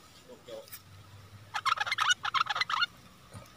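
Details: Decoy bulbul luring wild birds, 16 March 2021: after a quiet start, a harsh, chattering burst of about a dozen rapid notes lasting just over a second, then fading as a man begins speaking.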